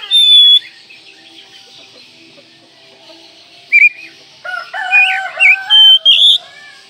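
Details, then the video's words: Oriental magpie-robin (kacer) in training audio for songbirds, opening with a long sharp whistle, then after a pause a rich jumble of slurred whistles, chattering and rising notes, all over a constant high-pitched hiss. "Masteran Kacer Manjur"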